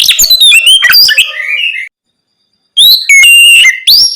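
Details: Night-time 'ngeplong' song of an Oriental magpie-robin, played to urge untrained birds to respond: loud jumbled whistles and fast chattering notes, a pause of about a second, then clear high whistled phrases.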